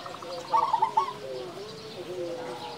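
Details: Local zebra dove with a loud voice: a quick rolling burst of bright coo notes, then softer drawn-out, gently wavering coos from other doves.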